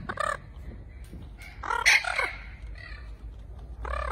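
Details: Spix's macaws, a species extinct in the wild, call to one another with loud, harsh, arching squawks in four bursts over four seconds, one call overlapping another, over a low background hum.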